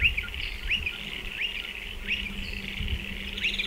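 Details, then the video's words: Striated pardalote near its nesting burrow in a dry stone wall, uttering clipped upswept chirps spaced under a second apart against a bright hissing background. "Striated Pardalote calls and behaviour"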